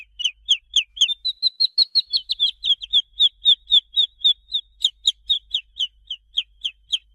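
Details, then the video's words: Chicks peeping nonstop, sharp descending high-pitched cheeps in a rapid even series, briefly merging into flatter, run-together notes near the middle before resuming the regular falling peeps. "SONS DE PINTINHO"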